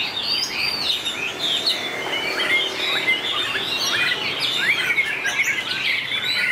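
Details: White-rumped shama contest singing with long voice changes. Rapid, tangled whistles and chirps pour out continuously, steep upslurs and crisp clicks mixing over a faint steady background hiss.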